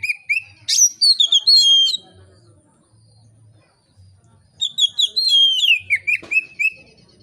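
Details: Oriental magpie-robin song, relaxed and loud, suited to getting other magpie-robins singing. Two bursts of rapid, varied chattering whistles and trills, the second a quick run of short notes, are separated by a quiet spell with faint low hum.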